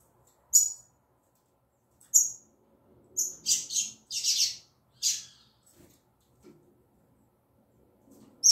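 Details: Female double-collared seedeater singing in the tui tui zel zel style: two isolated sharp high chirps, then a quick cluster of four buzzy high notes, with another note at the end. The background is otherwise quiet, with a faint low hum.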